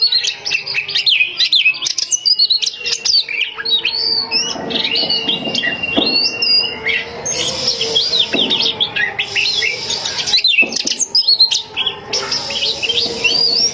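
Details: Oriental magpie-robin female, a home-kept bird luring males, in a long busy song of varied whistles, twitters and slurred notes, with a few held tones and a steady low background hum.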